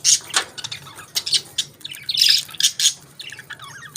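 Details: Budgerigars enjoying their favourite food: dense, rapid chirping and scratchy warbled chatter, bursts of squawky notes almost without pause, several birds calling over one another.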